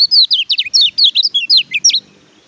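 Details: Oriental white-eye (kecial kuning) song recorded as a training track to prompt birds reluctant to sing: a fast run of high, sweet twittering notes, slurred up and down, about ten notes in two seconds, then quiet; clean background.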